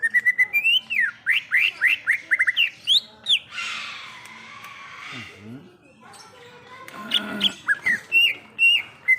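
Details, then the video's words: Wild greater green leafbird song: quick series of slurred, swooping whistles, then a long harsh rasping burst, a pause, and further scratchy chatter leading back into clear whistled notes. "Suara Asli Cucak Ijo | Suara Alam Cucak Ijo"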